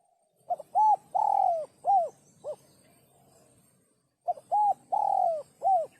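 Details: Spotted dove giving the sấm chuông coo to stimulate males, females and wild birds; two phrases of hollow arched notes with one long falling coo in each, a short pause between.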